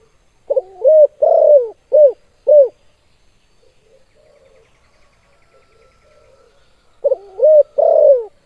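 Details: Spotted dove calling actively in the KUK 2 style: a phrase of low, hollow coos, a short double note, then longer downslurred notes, then silence before the phrase begins again near the end; no other sounds.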